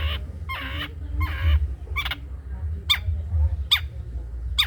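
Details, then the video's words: Long-tailed shrike in cendet trotol song, recorded as a model for other birds: a few rich, nasal drawn-out calls, followed by sharp downslurred notes spaced under a second apart, over a low steady hum. "CENDET COCOK DIBUAT MASTERAN BURUNG CENDET TROTOL"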